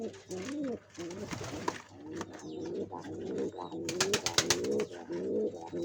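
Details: Pigeons building a nest to lay eggs, giving repeated deep rolling coos in wavering phrases, with sharp clattering and tapping noises near the middle.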